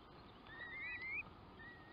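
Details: Curlew giving a thin, wavering rising whistle, fairly faint over a steady background hiss.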